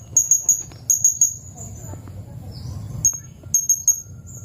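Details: Serindit, the blue-crowned hanging parrot, in a sharp high-pitched series of thin piercing tsit notes grouped in threes, short pauses between bursts, over a low background hum.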